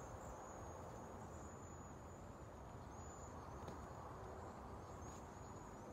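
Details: Migrating Cedar Waxwing flock in San Antonio, Texas, just before a freeze: thin, very high, lisping trills run almost continuously, faint over a steady low rumble of wind or distant traffic.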